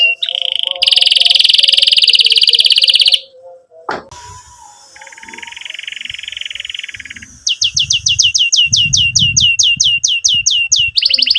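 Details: Canary song meant to stimulate young birds to learn and to restart silent canaries: a loud roll, a pause with a click, a softer lower trill, then a long series of rapid descending slurred notes with faint low background noise.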